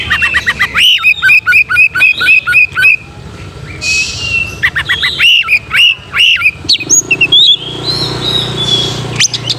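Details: Oriental magpie-robin lure to trigger a fighting mood: two bouts of rapid, evenly repeated bright chirps separated by a softer whistled pause, then scattered high notes and a brief hissy stretch.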